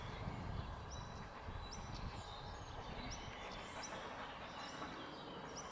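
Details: European stonechat at Ljubljana Marsh, Škofljica, Slovenia, on 3 June 2023: thin, high, upslurred whistles repeat roughly once a second over a heavy low rumble like a passing train or traffic.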